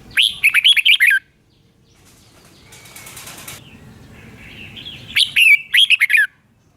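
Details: Red-whiskered bulbul song kept for training caged birds or for trapping: two bursts of bright, warbled phrases rising and falling, separated by a quieter stretch with a brief whirring sound.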